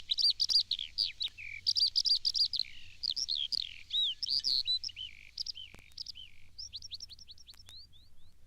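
A common linnet's song: fast, twittering phrases of chirps, trills and slurred whistles, rising and falling, ending in a run of quick rising notes.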